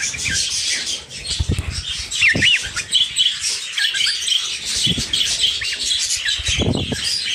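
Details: Cockatiels, a father and his son, giving short rising whistled calls amid a constant wash of high chirping from other birds, with occasional low thumps and knocks.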